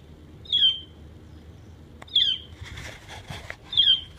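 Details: A common starling, recorded mimicking numerous sounds and birds, gives three short, bright whistles with falling slurred notes about 1.5 seconds apart, with bursts of scratchy chatter between.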